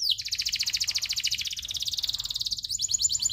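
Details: Local canary tutor song in a continuous long roll: a fast, pulsing, buzzy trill of evenly repeated notes, shifting slightly higher near the end.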